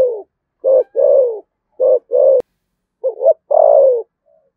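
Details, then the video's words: 'Thổ sấm' voiced spotted dove from Đồng Nai, Vietnam, giving 'thúc gù' coos. Soft short notes each lead into a longer falling coo, with a stuttered double note before the last drawn-out phrase and a faint click midway. "cu gáy giọng thổ sấm Thúc Gù bài bản chuẩn nhất Đồng Nai"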